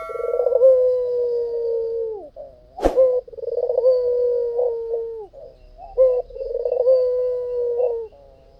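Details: White dove, a caged bird singing actively, used as a lure: long drawn-out low coos, each held steady for over a second and ending in a short drop, in three phrases with brief throaty breaks and one sharp click.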